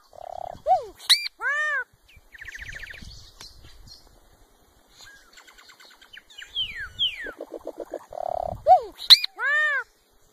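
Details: Solitary cacique song: a varied run of loud whistled arcs, rapid nasal buzzy rattles, slurred downward notes and repeated ringing chevron-shaped whistles, phrases changing every second or so, in quiet natural surroundings.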